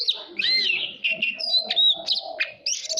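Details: Oriental magpie-robin singing, a song played for voice training and to stimulate birds to sing competitively: varied whistled and chirping phrases with sweeping notes, alongside a steady lower warbling from another bird.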